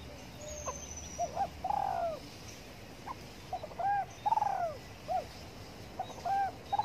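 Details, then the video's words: Spotted dove cooing while sunbathing in the morning: repeated low phrases of short stuttering notes, each ending in a longer, drawn-out coo, heard three times over a soft hiss of background noise. "Cu Đất Gáy Gù Phơi Nắng Sáng"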